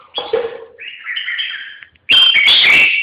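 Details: A red-whiskered bulbul gives a short burst of song: a lower warbled note, then a sustained whistled phrase, and finally a loud, full, slightly harsh flourish.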